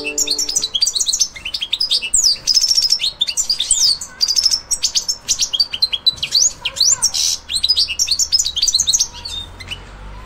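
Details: Goldfinch getting into breeding condition ahead of the breeding season, delivering rapid liquid twitters, bright whistled slurs and buzzy rattles in continuous high-pitched phrases.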